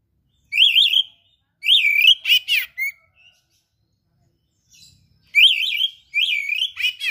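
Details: Kept oriental magpie-robin singing vigorously, with mimicked phrases: loud, wavering whistled notes with zigzag modulation and sharp buzzy bursts, in two groups of phrases split by a second of near silence.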